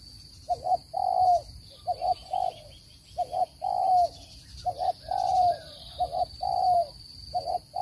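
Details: Spotted dove calling, a recording meant for luring birds into traps: soft hollow coos grouped as short double notes and a longer falling coo, repeated steadily, with faint twittering birds and a thin electronic whine.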